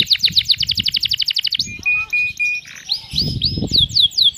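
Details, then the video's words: Canary tutor song in the 'cengkok mewah' style with sharp 'tembakan' shots: a fast run of about twenty high chipped notes, then level whistled notes repeated four times and a series of rising, slurred sweeps. "MASTERAN kenari cengkok mewah durasi panjang Tembakan pedes"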